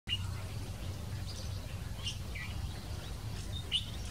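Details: Jungle babbler calling in Khambhat, India: a few short, high squeaky chirps at irregular intervals, over a steady low rumble of background noise.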